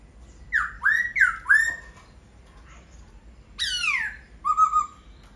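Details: Clear laughingthrush singing, four quick loud downslurred whistles in a row, a short gap, then a long sweeping descending note and a few wavering whistles.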